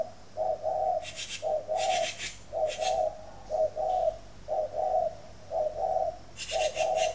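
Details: Spotted dove from a dove garden in Ba Vì, Hanoi, northern Vietnam, cooing in the morning: about seven low, soft two-note coo phrases at a steady pace, with intermittent rasping scrapes in the background.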